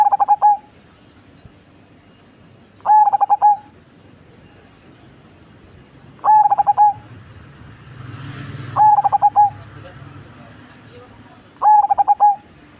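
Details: Five stuttering cooing phrases from a big-bodied cemani zebra dove known for a large, bassy voice. Each phrase is a quick run of short low notes, with gaps of two to three seconds. A faint rumble of traffic sounds midway.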